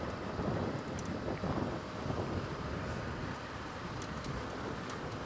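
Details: Steady wind buffeting a microphone with low engine rumble throughout, and no animal voice standing out.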